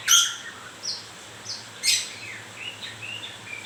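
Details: White-rumped shama during moult: a loud sharp opening note, scattered high whistles and clicks, then a soft run of short warbled notes.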